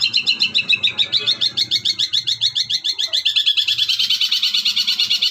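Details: Long-tailed shrike (cendet) master song with mimicry, a mix of church-bell, thunder, Armagendon and Kuntilanak imitation styles, used to train songbirds; fast high rattling notes repeated steadily, about two per second, rising slightly toward the end.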